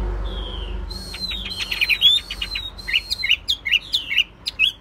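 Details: Caged Chinese hwamei, a contest bird, starts with a lone drawn-out whistle, then sustained high whistled notes mixed with harsh, rasping bursts, ending in a run of short, sharp, upward-flicked notes.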